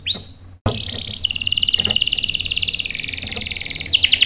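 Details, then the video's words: Canary singing as a lure to set males off: one short swooping note, a sudden silence, then a long, buzzy, even trill of high notes ending in a louder, sharper burst. "PANCINGAN KENARI GACOR bikin EMOSI jadi NYAUT NGEROL TAJAM | CANARY SINGING"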